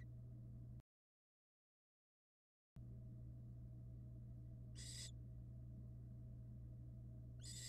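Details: Barn owl nestlings in a nest box under a live camera, hatched from February 2022: a short break in the sound, then two brief rasping hisses spaced about two and a half seconds apart, with a persistent low hum.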